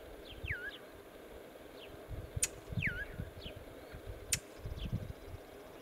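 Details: A male Brown Thrasher in Northern Illinois gives two hard, smacking alarm notes about two seconds apart, with faint slurred down-sweeping whistles and a low wind rumble throughout.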